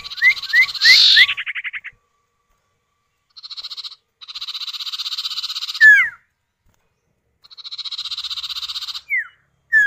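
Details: Common iora pair, male and female answering each other as a lure for other birds: quick whistles run into long dry buzzing trills, repeated three times, each ending with a falling whistle.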